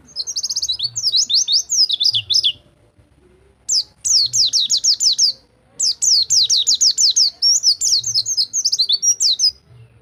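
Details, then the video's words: White-eye in rol tembak song style, meant to coax stopped singers back into song: three long bursts of rapid, high, descending whistled notes, separated by brief silences. "Masteran Pleci Rol Tembak Untuk Pleci Macet Bunyi"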